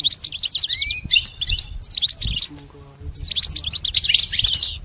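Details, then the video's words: Pet goldfinch training recording: a goldfinch pours out quick, bright twittering phrases with a steady whistled note, pauses, then resumes the rapid high jingling chatter while a faint low tone sounds underneath. "Teaching the goldfinch the art of song-advanced lessons in best chirps"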